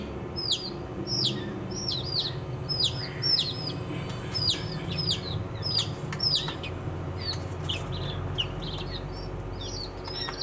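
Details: Baby chicken chicks chirping: many high, short peeping notes, often rising-falling, repeated rapidly over a steady low hum and soft background noise.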